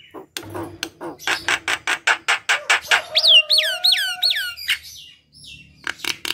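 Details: Javan myna in lively full song, played in the morning before bathing to coax quiet birds into singing: a fast run of harsh clicking pulses, then four loud whistled notes sweeping up and sharply down, ending in scattered chatter.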